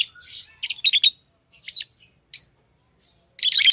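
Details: Pet lovebirds: scattered soft chirps, a quick burst of rapid high chirps early on, a lone sharp note, then loud raspy chattering at the close.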